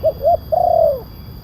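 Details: One spotted dove phrase from a lure recording to draw wild doves: two short soft coos and a longer smooth coo that bends down at its close, with faint background hum.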